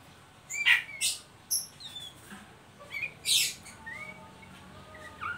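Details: Oriental magpie-robin's ngeriwik calling, used as a lure for young birds to sing: a few loud rasping bursts, some thin upslurred whistles and quieter chips, sparse and uneven over several seconds.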